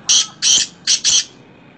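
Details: Black francolin giving four loud, harsh, high-pitched notes in two pairs, each burst a short rasping squawk, over a quiet background.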